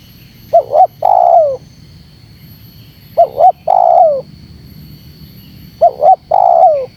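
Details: Spotted dove call played to provoke wild spotted doves. Three evenly spaced phrases come about every two and a half seconds, each two short notes leading into a drawn-out, descending coo.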